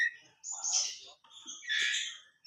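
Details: White-rumped shama, Medan type, singing in the trotolan style: bright, clear whistles and quick, bursting phrases, mixed with a man speaking.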